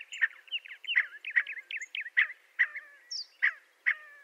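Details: Scaled quail chattering: rapid overlapping nasal notes with bending, slurred tails, settling into a regular pattern of single calls roughly every half second.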